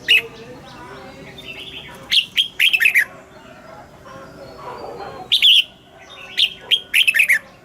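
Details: Red-whiskered bulbul double-note song in the mature wild style, for morning song training of caged birds: sharp, jumpy warbled phrases repeated three times over a steady low hum and soft background whistles.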